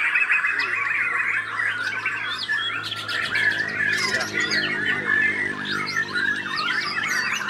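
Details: Murai batu, the white-rumped shama, kept by bird hobbyists; a busy stream of sharp whistles, chips and rapid chattering runs, with a short burst of clicking trills around the middle and a steady low hum underneath.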